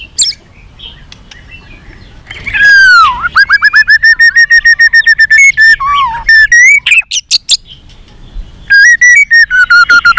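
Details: Fighting song of a white-rumped shama with many voices and tail-flicking display: loud, clear, ringing whistles that swoop down and level out, broken up by quick rising notes and bright staccato chips.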